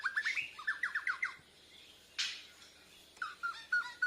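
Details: White-rumped shama from Borneo practicing song, answering a lure recording with chest feathers puffed; a fast run of rising whistled notes, a short burst of noise, then several clear whistled slurs.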